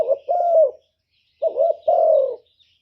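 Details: Two cooing phrases from a decoy spotted dove. Short wavering notes lead into a long, steady, slightly falling coo, with silence around the calls.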